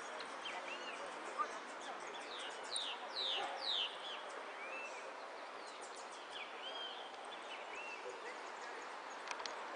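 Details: Goldfinch singing at a Zona Norte contest dated 8 12 14 and placed fourth in the repique category: quick bursts of sharp descending sweeps and bright chirps, clustered near the middle, over steady background hiss.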